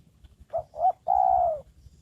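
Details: Decoy spotted dove trained for luring wild doves: a close, clear phrase of two short rounded coos then a sustained mellow coo sliding slightly downward, over faint low hum.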